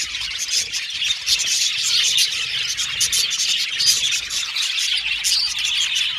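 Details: Many budgies in an aviary colony chirp and warble at once, a thick high-pitched chatter that rises slightly in the middle.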